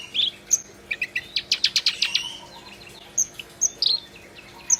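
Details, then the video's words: Black-browed reed warbler in vigorous song: a quick series of squeaky chirps, a rapid burst of harsh repeated clicks, then scattered sharp high notes over faint background hiss. "Kerak Basi Gacor"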